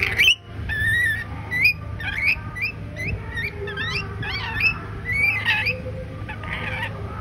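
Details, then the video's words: A pet male red-collared lorikeet in Kolkata, India, in his first attempt to talk, chatters in quick, high, squeaky notes and short twisting whistles, a few every second, over a steady low indoor hum. "First attempt to talk 🤩 || Lorikeet"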